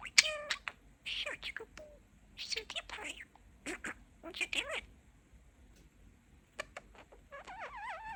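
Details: A pet budgerigar chatters mimicked words in rapid, high, scratchy syllables, pauses, then ends with a wavering warbled phrase.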